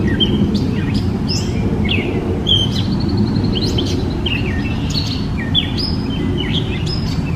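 A gray catbird gives a rambling run of varied squeaky, whistled and scratchy notes, each one different, over a steady low rumble of background noise.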